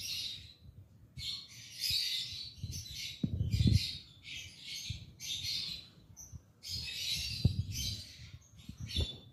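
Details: Lovebirds, likely kept birds from Pakistan, give harsh, buzzy chirps in dense bursts of about a second, repeated with short gaps, over low thumps and handling noise.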